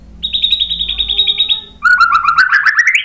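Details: White-rumped shama singing a rapid steady trill of high repeated notes, then switching to a lower, rattling trill that climbs in pitch at the end.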